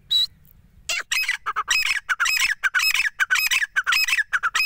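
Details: Grey francolin male and female voices, a hunting lure: one thin whistle, then a rapid loud run of harsh, ringing, repeated notes about twice a second, forming a continuous chattering phrase.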